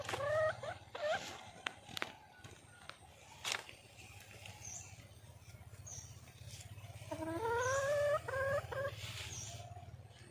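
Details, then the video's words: A wild red junglefowl hen calls to draw a male, with a couple of short rising notes at the start and then a faster string of upslurred, nasal calls. Faint high chirps and a low hum sit in the background. "le bruit d'une poule sauvage,เสียงไก่ป่าร้องหาถู่หาตัวผู้,ສຽງໄກ່ປ່າຮ້ອງຫາຄູ່ຮັກ, poj qaib qus see"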